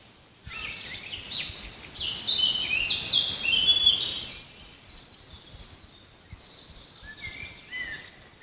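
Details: Birds in a forest break into a loud, dense burst of high twittering and sharp whistled notes for about four seconds, then fall back to a few quieter, scattered chirps and short rising whistles.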